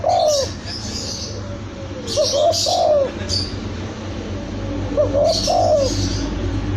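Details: A young spotted dove gives three gentle cooing phrases, each a short run of soft rolling notes, spaced a few seconds apart. Bright chirping from other birds and a constant low rumble sit behind it.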